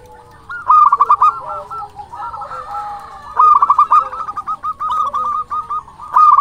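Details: Singing local zebra dove, used to rouse quiet doves and stir their breeding urge: repeated phrases of quick, rolling, stuttered coos, each run fading off, three phrases with pauses between.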